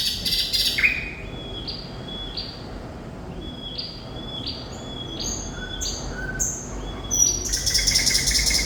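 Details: Thrush nightingale (sikatan londo) in full, constant song: a run of short whistled notes that jump up and drop between pitch levels, repeated briskly, opening and closing with dense, harsh, buzzy bursts over a light background hiss.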